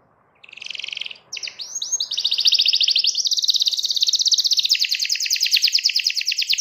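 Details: Canary song aimed at a rival: a short buzzy note, a pause, a couple of rising upslurred whistles, then a long, steady, very fast trill of repeated notes that keeps going to the end.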